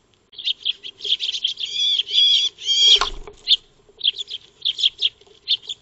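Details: Eurasian tree sparrows known as Maya birds feeding in a backyard, recorded 2 March 2025 by a solar trail camera: harsh drawn-out chattering notes, a brief thump, then scattered chirps.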